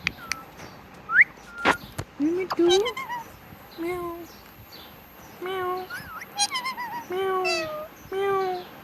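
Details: Pet parrot talking: a couple of rising whistles, then repeated hoarse, richly harmonic word-like syllables, several flat and sustained, given in a steady series with clicks in between.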